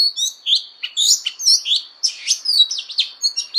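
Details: Fighting song of an Oriental magpie-robin in voice training: rapid bursts of loud whistled phrases and chirpy slurs, each burst lasting a fraction of a second, over a constant faint high-pitched tone.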